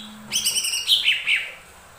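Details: Lesser green leafbird singing to spur other birds to sing: a rich, quick warble of bright whistled notes, dipping and rising, lasting just over a second.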